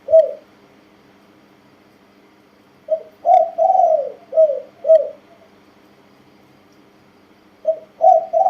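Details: Spotted dove, a tame one-year-old male, giving Thai-style 'kuk' and 'ku-ang' coo sequences: short hollow notes, one drawn-out wavering coo, then two more clipped notes, with a long pause before the pattern starts again.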